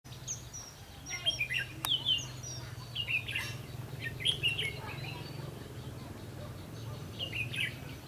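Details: Red-whiskered bulbul recorded during a trapping session on 22 October 2016. Short bursts of bright warbled, chirping notes recur through the clip, with a steady low hum and a single sharp click underneath.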